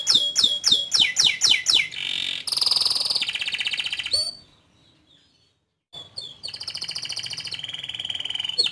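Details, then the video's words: Lively canary song opening with a fast series of downslurred chips, then a harsh buzzy roll and a brief pause before a sustained, rattling trill resumes. "Suara Burung Kenari Gacor Panjang Cuit Cuit Teerrrr"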